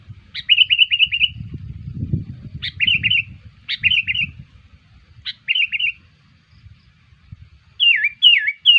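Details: Sooty-headed bulbul lure call used to attract wild bulbuls: bursts of rapid trilled notes, each opening with a sharp note, repeated several times, then two swooping downslurred whistles at the end, over a faint low rumble.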